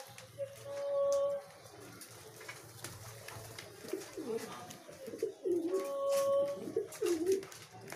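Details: Pigeons competing with one another for food give low, rounded cooing phrases, two strong drawn-out coos with burbling notes between, over a background of sharp scattered clicks.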